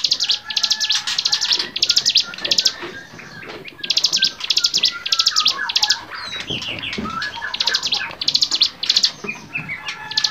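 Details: Bar-winged prinia song on a songbird training recording: rapid buzzy, rattling bursts of high notes repeated about twice a second, with a pause midway. Other birds whistle and chirp more softly in the background.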